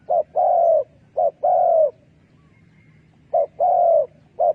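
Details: Spotted dove calling as a decoy for trapping doves: a short note and then a longer slightly falling coo, given in pairs with gaps of about a second, over a faint low hum.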